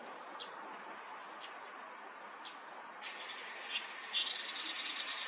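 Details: Male Tiger shrike in Korea, where it is a rare summer migrant, mid-May 2024; a few spaced high chirps, then a rapid, harsh chattering run of dense buzzy notes that grows louder toward the end, with constant background hiss.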